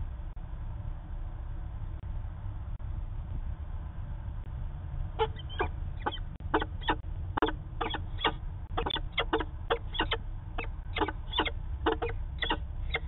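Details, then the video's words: Peregrine falcon in Manchester, New Hampshire, 19 September 2018: five seconds of low background rumble, then a fast run of harsh, grating calls, roughly two or three a second, continuing to the end. "Peregrine Falcon Long Discussion"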